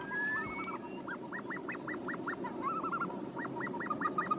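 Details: Caspian snowcock giving a clear rhythmic series of arched whistled notes, roughly four per second, broken by a flatter warbled phrase midway, over constant low rumble.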